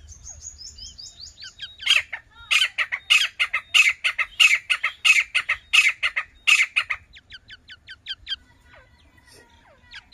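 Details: Young grey francolin from Sindh: thin, high, falling peeps at first, then a rhythmic run of loud, harsh, scratchy notes about every half second for five seconds. Scattered soft peeps follow, with faint low rumble beneath.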